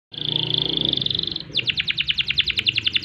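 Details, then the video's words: Caged canary singing continuously, used as a master tutor recording and to provoke other songbirds: a long buzzy trill held near one pitch, then a run of quick repeated downward-sweeping notes, with a faint low hum behind it. "Kenari Gacor Panjang Ngerek Ngerol Nembak Mantap Buat Masteran dan Pancingan | Bird Singing"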